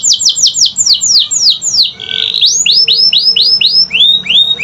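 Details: Canary singing a lure song meant to prompt silent canaries to sing: rapid series of bright downward-sweeping whistled notes, a short buzzy trill near two seconds, then slower rising-falling sweeps repeated about three times a second.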